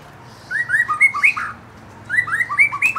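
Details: White-rumped shama, a young forest-caught bird provoked to sing, giving two bursts of clear, varied whistled notes that step up and down, each phrase about a second long and separated by a short pause.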